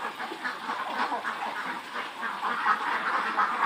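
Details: Khaki Campbell ducks on a farm in Muktagacha, Mymensingh, roughly 400 birds past 110 days of age, giving a brief stretch of crowded, pulsing quacks rising and falling about once a second.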